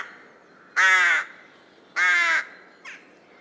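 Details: Wild rook, Corvus frugilegus, giving two loud, rasping caws about a second apart, then a faint, short third call in a quiet setting.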